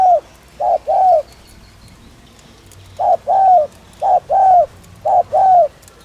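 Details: Spotted dove cooing as a lure: a pair of coos, a pause of nearly two seconds, then three more evenly spaced pairs, each a short hoot followed by a longer arching note.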